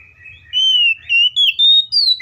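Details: Oriental magpie-robin in lively, richly varied fighting song, used to provoke other magpie-robins into singing; after a faint start, loud clear whistled phrases, each held about a quarter second, step gradually higher in pitch, four phrases within under two seconds.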